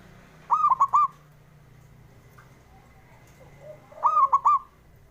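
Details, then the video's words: Male zebra dove song played to stimulate birds that are slow to sing: two staccato phrases of three to four rapid bright coos, about three and a half seconds apart, with soft background noise. "JENIS SUARANYA🔊 PALING BANYAK DI CARI UNTUK PENDOBRAK PERKUTUT MALAS BUNYI"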